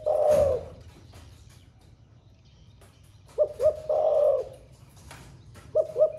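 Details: Spotted dove of the thổ pha voice style, said to coo all day: the tail of a long hollow coo, a pause, then two short coos and a drawn-out low note, and two more short coos closing.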